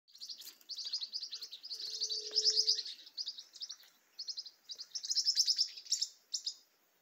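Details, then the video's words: A flock of small green-rumped parrotlets in a tall tree in the caatinga keeps up a dense, high, buzzy chatter of overlapping chirps in bursts, with a brief low hum partway through. "bando de tuim!! pequeno periquito tuim!!"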